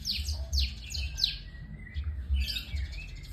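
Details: White-rumped shama delivering four or five piercing downward-slurred whistles, then a lower drawn-out note and a burst of jumbled chatter, against a low mechanical-sounding rumble.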